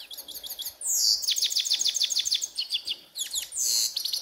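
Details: Grey-headed goldfinch in a ravine, singing a quick series of sharp downslurred chips, twittered trills and a drawn-out buzzy note, all high and energetic.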